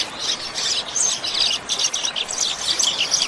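A Double-collared Seedeater sings a fast, high, unbroken run of twittering and warbled notes with quick buzzy trills and no pauses.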